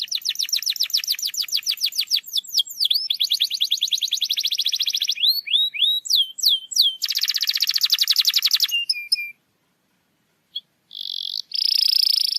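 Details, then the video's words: Canary song played to provoke a quiet canary into singing: fast clean trills of repeated rising notes, then swooping whistled slurs and a buzzy rolling trill, a short silence, and a final bright trill. "PANCINGAN KENARI MALAS BUNYI"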